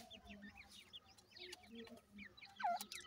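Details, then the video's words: Grey francolin babies at home make a flurry of brief high-pitched cheeps, many birds calling together, ending with one louder upslurred squeak. "dakhni teetar chicks ki video,cute tetar babies"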